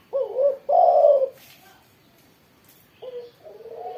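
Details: In Indonesia, a spotted dove sings after morning sunning. It gives a short coo followed by a loud, rough, sustained coo, then falls silent for nearly two seconds before starting another low cooing phrase.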